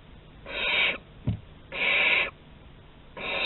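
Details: Barn owl in Théding, 11 August 2020, exploring the corridor: loud broad rasping hisses of about half a second, two complete and a third beginning, with a short low thump between the first two.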